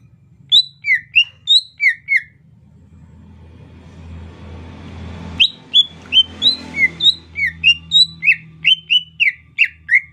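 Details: Greater green leafbird giving soft chattering song in the rainy season: a burst of quick whistled notes sliding between high and mid pitch, a quieter pause with low rumbling background noise, then a faster run of bright chirps.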